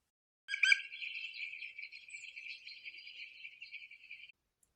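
A European green woodpecker gives a loud, ringing call of fast, evenly repeated notes that runs for about four seconds after a sharper opening burst.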